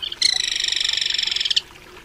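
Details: A crested kingfisher, Megaceryle lugubris, utters a loud, rasping rattle of rapid repeated notes lasting about one and a half seconds, harsh and rich-toned, ending in a sharp final note; little else audible.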